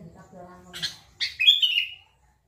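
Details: Sooty-headed bulbul uttering a short scratchy note and then one lively whistled phrase that leaps up and trails down in a rippling warble, after a brief low hum.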